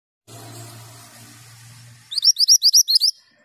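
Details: A male mantenan gunung sings actively: a quick run of seven high, sharp, upswept chirps, about four a second, after two seconds of low background hum.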